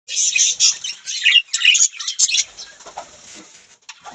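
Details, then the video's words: Budgerigar chirping: a dense run of scratchy, warbling chatter for about two and a half seconds, then fainter scattered clicks and soft chirps to the end. "Beautiful birds chirping sound | Budgie parrot sound"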